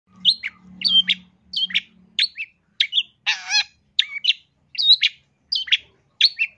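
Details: Long-tailed shrike song for training other birds: sharp, high chirped notes repeated at a steady pace about every two-thirds of a second, with one harsh buzzy rasp in the middle and a faint low hum early on.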